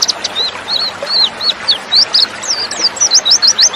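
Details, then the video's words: White-eye (pleci) female calling to lure males to sing: high thin whistles, some rising, some falling, delivered quickly, ending in a steady string of sharp upslurred chips about three per second. "TERAPI PLECI BIKIN CEPAT NGALAS DAN BUKA PARUH"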